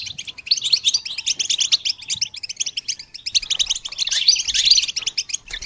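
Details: Goldfinch song on a training recording, an unbroken stream of buzzy, high twittering notes, growing fuller and louder in the last two seconds.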